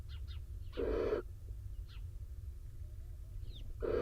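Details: Barn owls nesting in a box in Israel, the male back wet from rain with the incubating female; two loud raspy hisses separated by soft short chirps and twitters, low rumble beneath.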